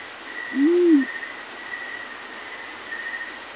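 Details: Yellow-breasted fruit dove calling in the morning: a single low, smooth hoot that swells and falls in pitch, lasting about half a second, over a steady high whine and short bursts of rapid high ticking.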